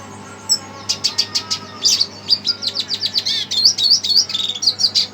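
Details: Agitated red siskin hearing playback sings steady, rapid high chirps and short twittering trills, punctuated by buzzy slurred notes in the middle of the phrase.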